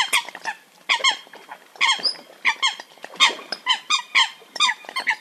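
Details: Eurasian coot in a hunting call recording: rapid runs of nasal, squeaky honks in clusters of two or three, almost continuous, loud and rich in overtones.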